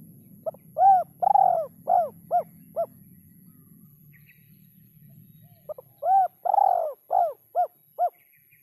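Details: Spotted dove singing a rhythm said to be very hard to find: two phrases of soft cooing, a brief note, a longer coo, then several shorter clipped coos, with a faint low hum in the first half.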